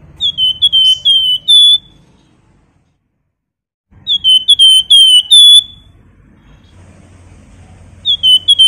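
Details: Flamboyan bird's nyiul song, played to provoke other birds to sing: three spaced bursts of rapid pure high whistles, each with a brighter closing note, and a soft low murmur in the pauses.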